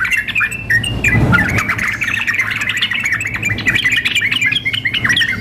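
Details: Female sooty-headed bulbul calling the male, combined with a male singing frantically as contest simulation; lively stream of short chirps and slurred whistles, one brief noisy burst early, faint low hum below.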